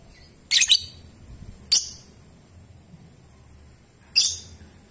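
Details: Young lovebird, about three and a half months old, kept in training to build its nerve, giving three short harsh broadband chirps spaced over about four seconds, with quiet room noise between.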